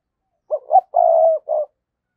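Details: Lure-calling decoy spotted dove from 2022 giving the 'thúc' and 'gáy gọi' calls. Two short coos, a long steady purring coo, then a short closing note, all mid-pitched and mellow.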